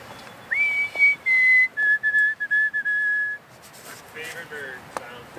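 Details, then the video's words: A White-throated Sparrow sings a clear, pure whistled song of three descending notes, ending in a run of quick, stuttered notes, at a riverside canoe-trip campsite in the morning; faint voices and camp sounds follow. "Can someone please tell me what is the bird at 27:35 with 3 descending notes? [reply] White throated sparrow :)"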